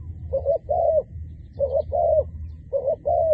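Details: Decoy dove used to lure wild doves, cooing busily. Three paired coos, each phrase two soft hollow notes, roughly one pair a second, with a steady low background hum.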